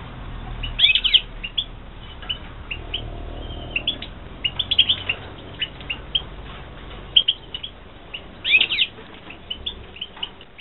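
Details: European goldfinches kept for breeding in 2016, giving a long run of rapid, high, tinkling twitters and chirps, with two louder bursts of jumbled notes and steady low background noise.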